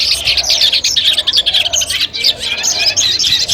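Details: Pre-competition training sound of Long-tailed shrike: intense, high-pitched chirping and twittering in quick pulses, with sharp whistles rising and falling across the short passage.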